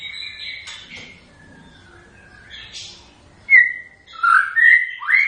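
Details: White-rumped shama song: soft drawn-out whistles at first, then sharp loud rising whistles and quick fluting notes in the final two seconds.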